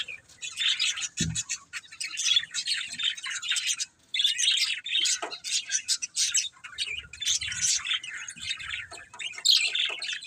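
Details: Budgerigars chirping: dense, busy chatter of short high chirps and warbled squeaks, in overlapping bursts with a brief pause near four seconds.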